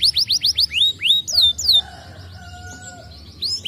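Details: Stimulating song of a canary: rapid run of high descending whistled notes, a few longer slurred notes, then a lull with faint low steady tones before the trill briefly returns.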